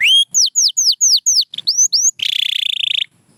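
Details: Pure white canary whistles a string of clear, bright, falling-then-rising notes at an unhurried pace, then switches to a rapid, even, buzzy trill lasting almost a second.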